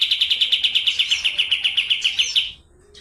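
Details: A Medan kapas tembak in full voice gives a steady, rapid roll of sharp, high notes, repeated about eight times a second for two and a half seconds, then silence.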